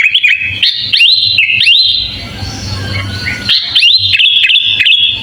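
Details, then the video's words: Sooty-headed bulbul in a full fill-in song, intended as a master recording for training other birds: rising, hooked whistles repeated in quick succession, a softer gap with background noise, then more looping whistled phrases. "Suara kutilang full isian"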